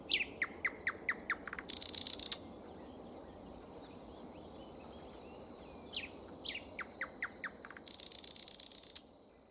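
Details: Nightingale song in spring: quick bursts of sharp rising notes in series, two dense rattling trills, a sustained thin whistle running through the middle, then more upswept phrases ending in a buzzy rattle; quiet natural background.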